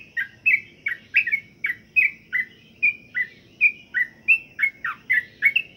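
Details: Trucukan, the sooty-headed bulbul, undergoing pengembunan dew care for diligent singing, delivers cheerful gurgling phrases roughly every third of a second, some rising whistles mixed with falling slurs, over a soft background rumble.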